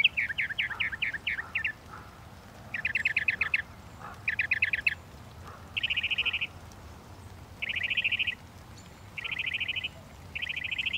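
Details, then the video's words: Northern mockingbird delivering trilled phrases, each repeated two or three times, then four dense buzzy bursts of about half a second, evenly spaced. "The song of the Northern Mockingbird"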